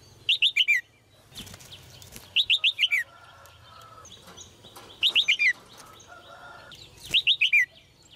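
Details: Female red-whiskered bulbul repeating a melodious phrase four times, about every two seconds. Each phrase has four or five quick, falling whistled notes. Rustling bursts and faint steady tones sound in the background.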